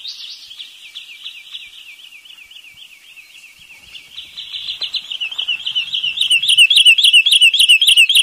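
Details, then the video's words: Wood sandpiper calling: a fast, steady trill of high chipping notes, swelling louder and sharper in the second half into strongly repeated clipped notes, with no other sounds. "เสียงนกชายเลนน้ำจืด Wood Sandpiper Sound"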